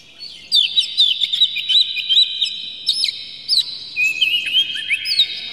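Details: Oriental magpie-robin provoking other males to sing, tail spread and worked up, pouring out a rich song: rapid chattering whistles and trills, then long descending slurred notes near the end over a quiet background.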